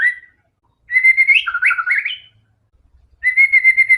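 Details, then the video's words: White-rumped shama singing to provoke other shamas into song: a brief whistle, then a long varied burst of sliding and dipping warbled notes, and a steady clear whistled phrase after a pause. "murai batu gacor AMPUH buat PANCINGAN murai batu agar bunyi JADIKAN burung murai yang lain BUNYI"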